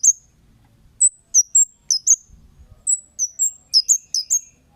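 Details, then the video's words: Strong Kemade 'cit' calling used as a lure to make other birds answer: repeated high, sharp, downslurred chips in loose groups of two to four, with a brief low rustle. "Suara Burung Cit Kemade GACOR--Pancingan Cit Keres"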